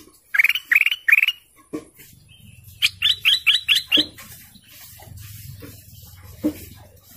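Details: Canary singing three buzzy trilled notes, then a run of six quick rising notes, followed by scattered soft clicks and low hum.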